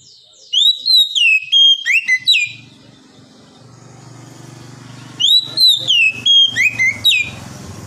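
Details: Oriental magpie-robin (kacer), Indonesian 'mental ngedon' therapy song: two bursts of loud, sweet whistled notes in fast slurred sequences, each about two seconds long, separated by a quiet pause with a faint low hum.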